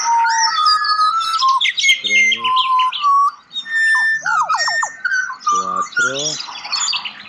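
Several butcherbirds sing rich, flute-like whistles, with clear sliding notes and quick warbled phrases overlapping throughout. A person's voice is briefly heard in the background.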